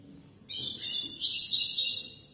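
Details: European goldfinch song recorded for young birds to learn from: a bright burst of high, tinkling twitters and buzzy trills lasting about two seconds after brief quiet.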